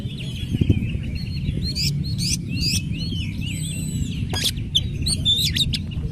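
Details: Oriental magpie-robin singing vigorously as a lure to draw other magpie-robins into answering; high whistled and slurred phrases with sharp clicks over a steady low rumble of background noise.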